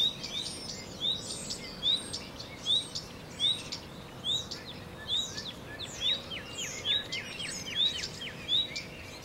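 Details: Common redstart singing steadily: bright high chirps repeated a little more than once a second, then a quick run of short descending notes, in quiet surroundings.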